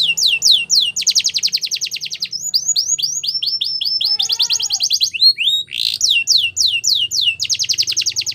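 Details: Champion song of a Belgian canary for tutoring young birds, bright and high: rapid buzzy rolls, chains of quick downward-sweeping whistles and a short lower slurred phrase midway, delivered continuously with scarcely a pause.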